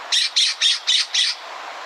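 A California Scrub-Jay gives five harsh, raspy squawks in quick succession, about four per second, with faint background hiss.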